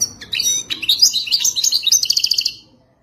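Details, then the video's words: European goldfinch in authentic wild song: a fluid run of high warbled twitters ending in a rapid series of repeated bright pulsed notes. "التغريد الوداني الاصيل #اجمل_تغريد_حسون"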